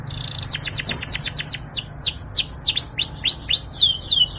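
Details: Yorkshire canary singing a melodious song: a fast buzzy trill, then series of clear descending whistled sweeps repeated about four per second, loud and close, with faint low background hum.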